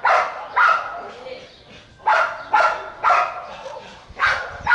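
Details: A free-living flock of parakeets (maritacas) living near a house gives harsh, raspy screeches, often in quick pairs, about a dozen bursts over a few seconds, with soft background noise between calls.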